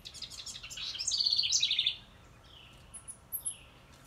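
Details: Female wren by a birdhouse delivering one loud song of about a second and a half: a tumbling rush of notes, then two rapid rattling trills. Afterwards there are only scattered thin, very high chirps against quiet background.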